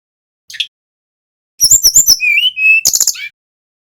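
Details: Lively rolling song of a male brown-chested jungle flycatcher from Bali, played as a lure to make other birds sing. A lone short note, then quick clicking chips, looping high whistles and a held steady whistle, closing with a buzzy flourish.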